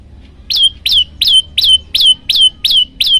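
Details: Olive-backed tailorbird singing for a bird-training master recording, a steady run of eight bright, piercing notes, each sweeping up and then holding level, evenly spaced about three per second against faint background noise.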